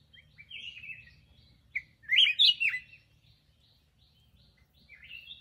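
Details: A black-crested bulbul sings a warbling whistled phrase rising and falling, peaking in three loud slurred notes, followed by fainter chattering notes and a final soft whistle, over a faint low rumble.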